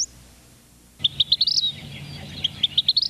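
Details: Western (Pacific-slope) Flycatcher, a summer bird of coniferous forest, gives a run of about a dozen high, thin, sharp notes in under two seconds, some upslurred, over a quiet background.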